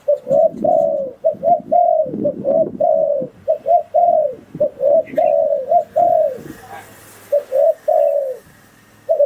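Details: Wild-dove lure recording of a spotted dove, a dense series of repeated coo phrases, short notes leading into longer falling coos, low rumbling noise under the first half and a brief pause near the end.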